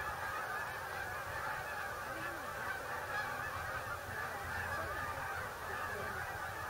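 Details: Migrating geese coming into a Delaware refuge, USA, producing a continuous chorus of overlapping honks, a few individual rising-falling calls standing out from the mass.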